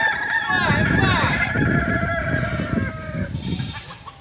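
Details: Kokok Balenggek cock from Solok, West Sumatra, Indonesia, crowing at a group training gathering. A long crow made of rapid rising-and-falling syllables lasts about three seconds, then fades, over a steady low rumble of voices and background noise.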